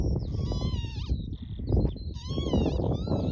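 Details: On Barden Moor near Skipton in June 2026, a mating pair of northern lapwings make drawn-out wheezy calls that bend at the end, with a faint high whistle between them and constant wind noise.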